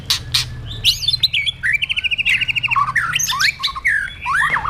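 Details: White-rumped shama in a cage, singing forest-style song used in training: a rapid series of repeated chattering notes between looping whistles and clicks, varied and energetic, with a low hum underneath.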